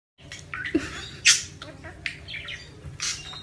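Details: Male pet parakeet chattering enthusiastically while playing with his tennis ball on the floor: quick, scratchy squawks and chirps, bright buzzy bursts and sliding notes, over a low steady hum.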